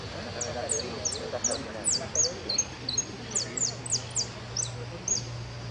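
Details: A goldfinch competing at a goldfinch singing contest, the Federación Irupé cup, sings thin, high, sharply down-slurred notes in loose, twittering bursts, over low murmuring voices and a steady hum.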